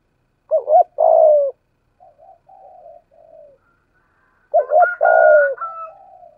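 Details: Spotted dove decoy, 'giọng thổ' voice, used in lure training: a double coo and long coo, quieter low cooing notes, then another full phrase overlapped by a higher, steady tone from a second bird.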